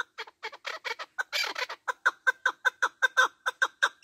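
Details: Partridge voice of the kind used to lure birds when hunting: a rapid series of sharp, hoarse clucking notes, about two to three per second, growing more even and ringing toward the end.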